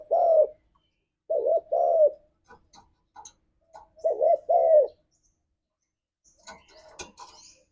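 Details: Spotted dove, a lively 'ngalas'-style lure for caged doves: three cooing phrases of a looped double note and a falling tail, followed by sharp clicks and tapping.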